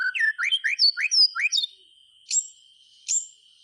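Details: Clear whistled song of a white-rumped shama, meant to get quiet birds singing: about ten looping, slurred whistles in quick succession, then two sharp isolated chips, with a steady thin tone behind.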